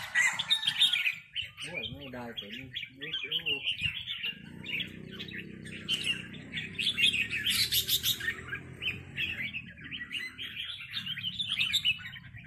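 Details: Dense back-and-forth rik calling between red-whiskered bulbuls and a local territorial bird: continuous scratchy chatter throughout, with a brief human voice early on and a steady low hum.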